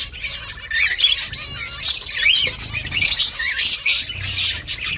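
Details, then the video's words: Nest-building finches calling together in a busy stream of sharp, high chirps and short rising and falling twitters, overlapping throughout and peaking in loud clustered bursts toward the end. "Finches chirping sounds Finches making nest"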